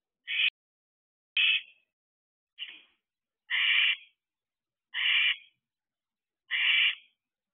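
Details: Barn owlets at a nest box, nearly fourteen weeks old, with most siblings already dispersed, July 2023: six rasping hisses in a row, some clipped short, others drawn out, repeated roughly every second.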